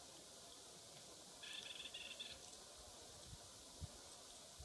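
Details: Clark's nutcracker at Manning Park, British Columbia, Canada, on 28 October 2017, gives a single harsh, grating call lasting about a second against a steady rushing hiss of wind or water.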